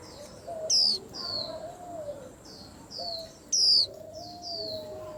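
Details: Caged white-eyes singing high falling whistles, two loud phrases about three seconds apart among softer repeated chirps, with a lower sliding whistle from another bird underneath.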